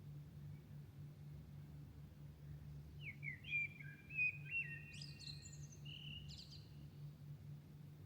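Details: In Milan at dawn, before light, a bird delivers a sequence of sweet whistled phrases with rising slurs and sharp high flourishes, lasting a few seconds. Quiet stretches before and after are filled by a steady low hum.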